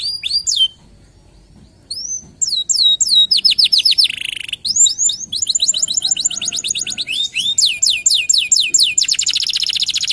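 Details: Local canary singing with swooping whistles, a short gap, then a buzzy burst followed by long fast trills and rattling rolls of repeated notes.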